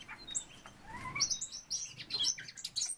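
A Eurasian golden oriole gives a brief, fluty whistle that rises in pitch, surrounded by a scatter of high, thin chirps and twitters.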